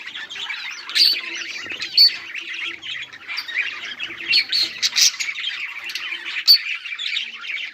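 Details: Budgies on 18 July 2023 produce lively overlapping chirps, buzzy trills and scratchy warbles, with loud sharp squeaks near the second, fifth and sixth-and-a-half seconds.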